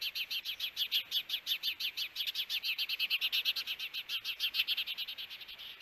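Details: At a Hellgate Canyon nest in Missoula, Montana, June 21, 2022, a nest camera records an osprey pair's encounter: fast, continuous series of shrill whistled chirps, roughly three per second, holding an even pace.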